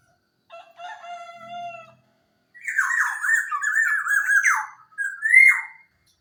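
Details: A Javan local black-naped oriole (Oriolus chinensis) sings, used to lure silent birds into singing: a nasal harmonic note, then a loud wavering run of fluty and harsh phrases, ending in a rising squawk.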